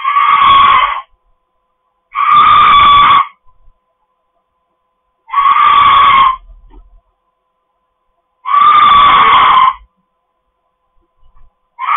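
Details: Harsh, piercing screams from a pet cockatoo in a home, five blaring rasping shrieks about a second long coming every two to three seconds, with quiet pauses and faint scuffs between them.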